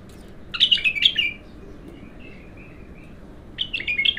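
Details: Bulbul singing its raw song on its first session of singing: two loud bursts of rich, bubbly warbled phrases about three seconds apart, with soft, quieter fluty notes trailing between them.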